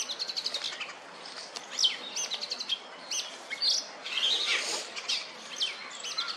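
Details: Oriental magpie-robin, a shiny black and white songbird perched on a wooden stump, ruffling its feathers and calling out to females for mating; sharp high whistled notes and short rising slurs repeat in quick succession over a soft hiss of background noise.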